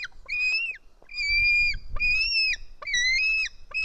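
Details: White-tailed eagle young on an Estonian nest, midday 4 July 2018, screaming while fed fish by a parent; four strident whistled screams, gently rising then sliding down at the end, with low rumbling nest noise beneath.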